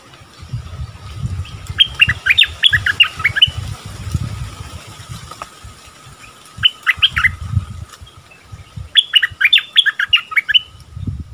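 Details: Bulbul delivering its double-phrase training song in three short bursts of bright, chattering whistled notes, separated by pauses, over steady low rumbling background noise.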